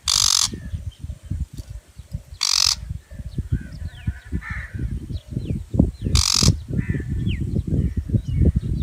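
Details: Shrike, also called butcher bird: three loud, harsh, rasping broadband calls near the start, at about two and a half seconds and at six seconds, over heavy low wind rumble with faint thin chirps of other small birds.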